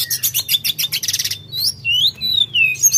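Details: Sooty-headed bulbul singing in full voice, opening with rapid buzzy trilled notes before shifting to drawn-out rising and falling whistles at a steadier pace.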